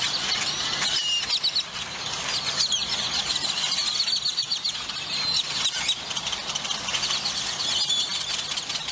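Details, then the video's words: A dense chorus of grackles at a roost near the McAllen-Hidalgo International Bridge, McAllen, Texas, gives overlapping squeaky whistles, sharp rising squeals and harsh chatters without pause, all high-pitched, over a faint low hum. "Pleasant Grackle Sounds to Relax to"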